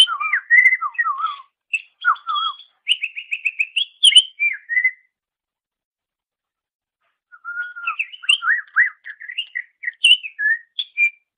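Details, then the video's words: Greater green leafbird singing on a master recording for training songbirds: two long bursts of rapid, varied whistles, slurs and chips, separated by a pause of about two seconds. "Masteran Suara Cucak Ijo"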